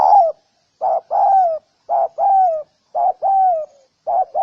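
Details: Spotted doves cooing, used to provoke males and females into fighting: loud low hooted notes in groups of a short coo followed by a longer, slightly falling drawn-out coo, repeated about once a second with brief gaps.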